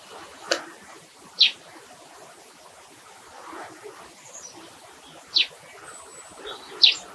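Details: Eurasian tree sparrow calling: short sharp chirps given singly at irregular intervals, four or five in all, against a steady hiss of background noise.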